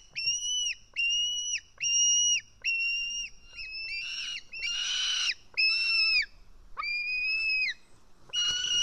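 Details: Begging White-tailed eagle chick, filmed by nest camera in Estonia on 4 July 2018 while being fed fish. Repeated shrill, flat whistles with down-slurred ends, interrupted by harsh scuffling bursts midway, then more whistled screams.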